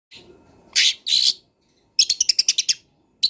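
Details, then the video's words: Long-tailed shrike song of a wild bird, used as a master recording for training songbirds: harsh broadband bursts, then a fast run of about seven sharp chattering notes and a final harsh note. "CENDET GACOR BONGKAR ISIAN | MASATERAN CENDET BURUNG LIAR"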